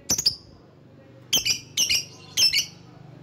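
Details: Lovebird giving lure calls meant to draw rivals: a lone shrill chirp, then a pause, then three clusters of harsh, piercing double chirps close together, over a faint low hum.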